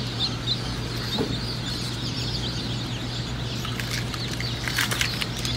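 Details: Baby Cinnamon Queen chicks at a hatchery, many together: a continuous chorus of thin, high, overlapping peeps, with a steady low hum and brief rustling bursts toward the end.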